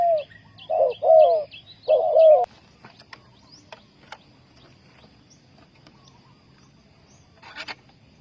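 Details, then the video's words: Spotted dove calling as a decoy to lure wild doves toward a bird trap, Ninh Thuận: three low, hoarse two-part coos in quick succession over faint chirps, followed by scattered clicks and a distant bird twitter. "Sound Of dove"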